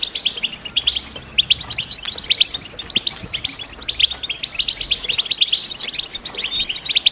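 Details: Female European goldfinch 'batbata' calling, used to stimulate a male goldfinch to sing ahead of the breeding season, from females ready to nest in a cage. Continuous rapid high-pitched chirping and twittering, busy and rhythmic, with steady bright peaks.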